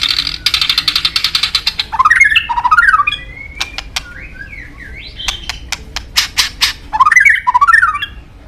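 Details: White-rumped shama, the songbird most sought after by Indonesian songbird hobbyists, singing a rapid run of dry clicking notes, then loud swooping whistled phrases that rise and fall, and sharp ticks between them.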